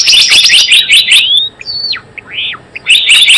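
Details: Java sparrow call used as a trapping lure: fast bursts of sharp high chirps and clicks, then a pause holding a few slurred rising and falling whistles, before another rapid chirping burst.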